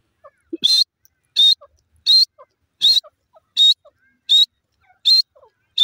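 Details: Grey francolin (teetar) calling in a regular run of piercing, high, slightly rising notes, roughly one every 0.7 seconds. Soft, lower clucking notes fall between them.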